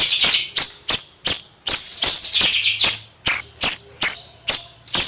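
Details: Bayeman bird in lively nyrecet song: sharp, very high ticking notes repeated about every third of a second, each with a brief descending buzzy tail, steady and insistent, no other sounds.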